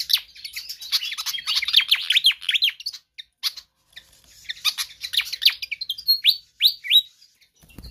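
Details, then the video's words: Pied fantail in spirited song used to teach or lure other birds: a tumbling series of squeaky descending and rising whistles mixed with ticks, a short gap, then sharp rising whistled notes. "Sikatan Kipas GACOR Ngotot"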